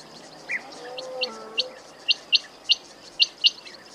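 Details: Quail producing a series of crisp, high chirps, about one per second and growing louder, with a brief low tonal sound partway through and constant background hiss.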